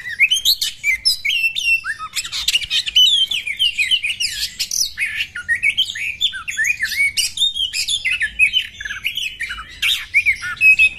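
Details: Female Oriental magpie-robins in a fight, giving a dense, continuous stream of sharp chirps, rising and falling whistles and scratchy notes, with barely a pause.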